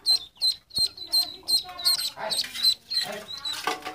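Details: Ducklings peeping in quick high notes, regular at first, then mixed with rougher, noisier overlapping sounds in the second half.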